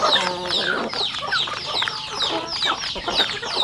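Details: Home-reared rural chickens eating on a farm, with dense overlapping high descending chick peeps, soft clucks and pecking clicks throughout.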